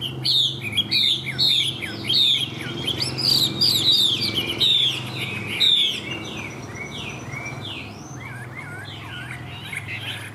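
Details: Captive Chinese hwamei singing while nodding, with loud, rich, rapidly varied whistled phrases and slurred up-and-down notes, then softer scattered notes, over a low steady hum.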